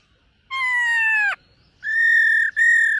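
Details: Morning voice training of a black-throated laughingthrush: one long, steady, slightly falling whistled note, then two sustained level whistles separated by a brief break, rich in overtones, with faint low rumble beneath.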